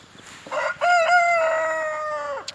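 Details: Landaise rooster kept in a home henhouse crowing once: a loud, rich, harmonic crow that starts with a short stuttered note, holds a long steady tone, and drops off sharply at the end.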